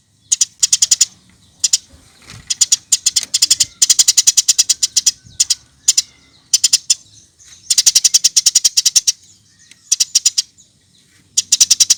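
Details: Vigorous Eurasian tree sparrow used as tutor audio for songbirds: near-continuous volleys of sharp, high, rattling chirps in runs of several seconds, with brief breaks between volleys.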